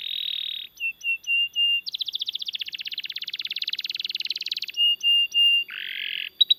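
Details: Canary singing a long song for training and luring other canaries: a buzzy opening note, a few clipped whistles, a long rapid trill of even beats, more short whistles and a low buzzy note.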